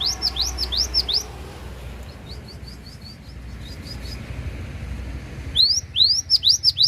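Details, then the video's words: Cinereous tit from Takengon, Central Aceh, Indonesia, singing its full repertoire: a fast run of rising whistles, then a softer series of short high notes, then loud swooping whistled phrases again. "GELATIK BATU ACEH FULL BONGKAR ISIAN"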